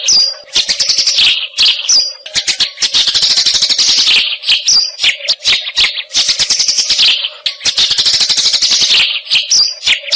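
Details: Eurasian tree sparrow song for mastering songbirds like long-tailed shrike; sputtering bursts of quick high chirps swell into sustained rapid chatter, repeating in waves with a steady hum underneath.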